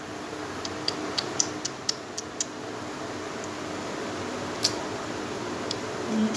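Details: Quiet indoor room tone with a low hum and scattered sharp ticking clicks, no animal calls heard.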